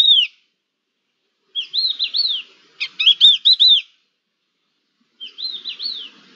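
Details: Crested larks calling back and forth, dated 11-10-21: short groups of clear whistled notes, each quickly rising then falling, in phrases of three to five with a brief burst of sharp clicking notes between, separated by silent pauses.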